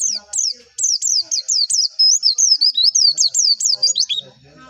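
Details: White-eye singing vigorously in a training recording for contest songbirds: a continuous stream of high, zigzagging slurred notes, roughly two or three per second, lasting over four seconds before fading.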